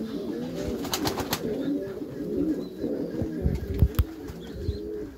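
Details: Meulemans racing pigeons in a backyard loft, several birds giving low, arching coos that overlap, with scattered thumps and wing or foot knocks from the loft.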